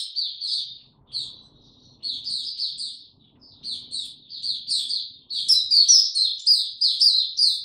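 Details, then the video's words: White-eye singing on 26 March 2022, warm and very humid: scattered high chirps and short phrases at first, swelling into loud, fast, continuous warbling, soft low rumble underneath. "Mata Puteh Hercules buka sing"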